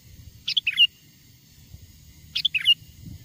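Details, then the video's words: Sooty-headed bulbul song of wild birds, used as a lure so wild bulbuls come near: two bubbly phrases of three or four fast, slurred notes, about two seconds apart, with a faint low background noise. "SUARA PIKAT BURUNG KUTILANG GACOR, PANGGILAN KUTILANG LIAR AGAR MENDEKAT!!"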